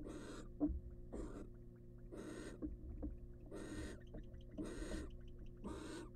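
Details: Female barn owl, wild, tending her eggs in a research nest box. Rasping, airy hisses come in a steady series, roughly one each second, with faint scratching and shuffling sounds between them.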